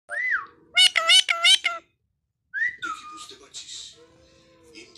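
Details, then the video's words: Pet talking parrot indoors: a short rising-falling whistle, then a burst of loud voice-like syllables, a pause, and softer gliding whistled notes with a faint steady tone at the end. "my talking parrot"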